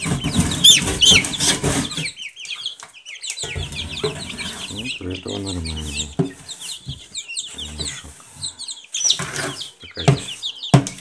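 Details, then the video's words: Silkie chicks peep in quick, overlapping high notes while low, voice-like sounds and handling noise rise in the middle and a louder peeping spell returns near the end. "Цыплята шелковые"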